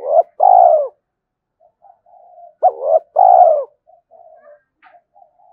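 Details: Spotted dove cooing as a decoy to provoke fighting and lure wild doves: a short clipped note, a long hollow coo, a pause, then the phrase repeats with a short note and a drawn-out vibrating coo, faint soft notes between.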